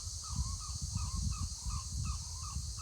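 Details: A distant Blue-winged Kookaburra (Dacelo leachii) at Wangi Falls, Litchfield National Park, Northern Territory, Australia, gives harsh, barking cackles, about two a second, over a steady roar of rushing waterfall water and wind.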